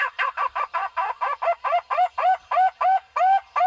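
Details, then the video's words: Barbet call played to lure barbets in for trapping: quick repeated hollow notes that become longer and slightly rising toward the end, roughly three a second, on a quiet background. "เสียงนกโพระดกต่อมารเข้าเร็ว เสียงนกเสียงนกโพระดก ສຽງນົກ ຂອນໂດກ"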